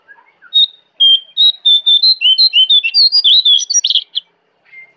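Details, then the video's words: Jongkangan in forest at Kintamani, Bali, delivering a loud, rapid burst of high, sharp, varied chirps. Roughly twenty quick notes climb and drop over three seconds, followed by one faint short note. "Jongkangan Gacor Dari Hutan Kintamani, Bali"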